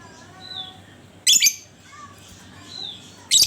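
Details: Lovebird lure recording to get other lovebirds singing: two loud, harsh, high chirp bursts about two seconds apart, with faint thin whistles between them.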